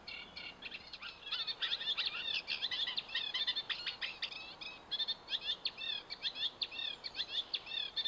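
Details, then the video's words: Reed warbler song from Hammer Pond, Knepp Wildland, England: a dense, hurried stream of harsh churring and chirping phrases, notes tumbling together with brief pauses, some figures repeated two or three times before changing. "Reed Warbler on Hammer Pond"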